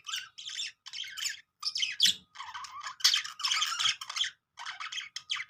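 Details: Budgerigars making happy sounds: short scratchy squawk bursts separated by brief pauses, roughly a dozen harsh chirring notes in quick succession, high and raspy.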